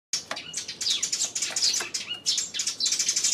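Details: Sparrows recorded on 28 May, a dense run of high chirps and short twittering notes tumbling over one another, many overlapping calls with no pause after the first moment.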